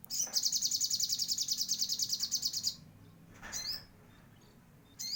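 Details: Sogon bird in vigorous gacor song with Cililin song material, opening with a rapid, pulsing high trill of about two and a half seconds, followed by a slurred descending chirp and a brief closing note.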